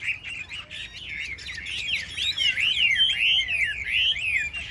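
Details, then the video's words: A tame caged Chinese hwamei in a dueling rack contest sings a dense, swelling chain of slurred whistles that grows louder toward the end. "Họa mi hót đấu giàn"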